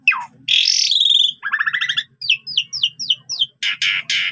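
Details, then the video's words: Asian pied starling, a lively training recording full of mimicked phrases: a falling note, a long harsh buzzy burst, stuttering doubled rattles, then six quick rising whistled slurs and three loud raspy bursts. "Bikin Emosi Jalak Suren Lain Langsung Bongkar Isian !! Masteran Jalak Suren Gacor Full Isian"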